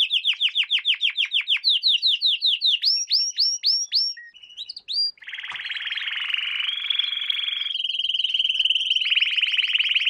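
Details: Song of a canary used as a lesson for training young canaries, opening with fast descending slurred whistles, then upward-sweeping notes, followed by a dense buzzing trill and a steady clear rolling tour.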